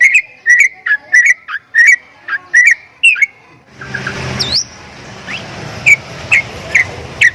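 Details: Javan myna producing strange sounds: clipped whistled notes with clicks in quick succession, then a burst of hissing noise with one upward-swept whistle, followed by a few more sparse short notes.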